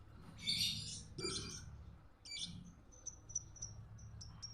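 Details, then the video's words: Lovebird training song intended for other birds to imitate: rough buzzy chirps in short bursts, followed by a row of thin, high, evenly spaced ticking notes, over a steady low hum. "burung Lovebird//masteran awal //pasti ngikutin"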